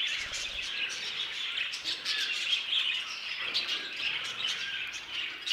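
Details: Violet mutation budgerigar; a continuous wash of chirps, buzzy trills and short whistles, with sharper squawk-like notes near the end.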